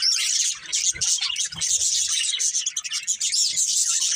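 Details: Budgerigars of one family chattering together in a continuous, dense stream of high warbles and quick chirps with no pauses. Faint low thumps sound now and then underneath.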